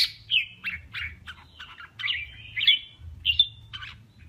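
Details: Male red-whiskered bulbul in a singing contest, 'kè' song: a quick series of separate slurred, chirpy notes about every quarter second, some with bright whistled tips, over a soft low hum.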